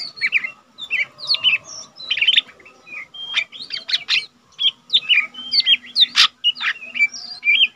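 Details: Untrained lesser green leafbird in captivity, singing diligently for use as a tutor recording: lively chattering song mixing quick whistled slurs, clipped chirps and one loud harsh burst, delivered in short clusters over a low constant hum.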